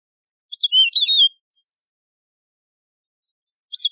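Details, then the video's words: Yellow-fronted canary, a wild canary known for its ringing voice, giving short bursts of high sweet notes with a falling whistle, a pause of two seconds, then another burst beginning, in silence. "شريط تغريد البسبوس الموزمبيقي"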